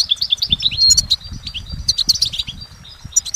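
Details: Goldfinch in nature delivering a quick run of bright, high tweets and slurred whistles, notes tumbling closely together with little break.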